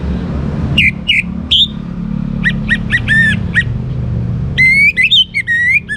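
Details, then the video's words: Orange-headed thrush, a young bird, giving scattered short whistles, a series of arched double-toned notes, then a fluent descending whistled phrase, against noticeable vehicle noise. "ANIS MERAH Muda Gacor Untuk Pemancing Burung Berani Berkicau Ngeplong juga Teler"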